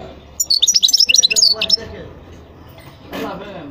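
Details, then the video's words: Lively twittering from a European goldfinch: about a dozen quick, high chirps in a tumbling phrase, followed by quieter background sound and a short noisy burst. "تغريد حسون خلو"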